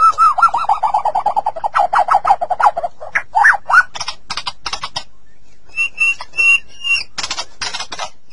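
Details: Captive-use master song of a white-rumped shama, played to get caged shamas singing: rich varied phrases, a descending run of rapid notes, then loud rising whistles and clear repeated whistled notes with sharp clicks between.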